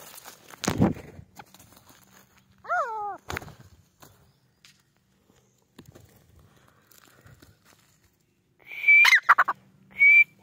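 Grey francolin giving a short falling nasal note, then loud shrill whistled notes near the end, with scattered knocks and handling noise.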